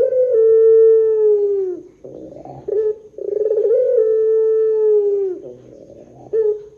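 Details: Long 'pelung' coo of a Barbary dove, played as a lure for other doves: two sustained, even, mellow notes, each nearly two seconds long and falling at the end, separated by soft trilled rolls.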